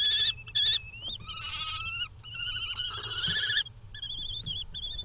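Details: Both parent common kestrels arguing in the Netherlands on 6 June 2020: loud, strained, whining high calls with wavering pitch, some long and drawn out, others short and overlapping, with fainter wavering notes toward the end.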